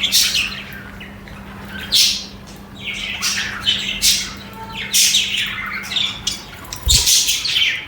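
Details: Budgies singing and chattering: harsh, scratchy chirps in bursts roughly every second, some short and clipped, others drawn into longer raspy squawks, over a faint steady low hum.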